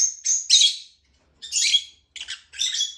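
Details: Lovebird making a few loud, raspy high chirps in three short bursts separated by brief silences.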